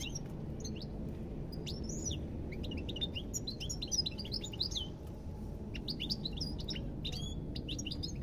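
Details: Lively goldfinch song of quick tinkling twitters and short upslurred chirps in rolling bursts, a brief lull near five seconds, then more clipped high notes, over a low steady hum.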